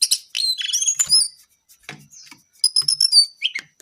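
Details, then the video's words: Brown-eared bulbul giving a quick jumble of high chirps and slurred whistles, then after a short lull a run of sharp, repeated high notes ending in a falling slur. "KICAU JONGKANGAN COKLAT GACOR TELER."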